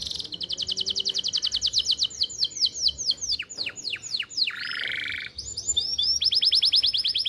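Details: Canary singing energetically, kept as a tutor for young birds and to stimulate breeding in females: fast high rattling trills, a series of slow swooping whistled notes, a harsh buzzy phrase, then another rapid repeated trill.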